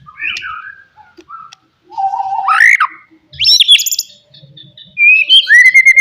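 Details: Loud song of a wild forest white-rumped shama, used to provoke rivals: spaced phrases of low warbles, a steep rising whistle, sharp upslurred notes and a closing run of clear downslurred whistles.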